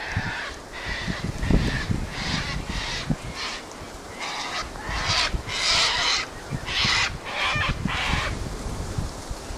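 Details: Sulphur-crested cockatoos (Cacatua galerita), a flock that always gathers here, on a very windy day with a lot of fighting, give harsh, raucous screeches, about one a second and sometimes overlapping, over low rumbling background noise.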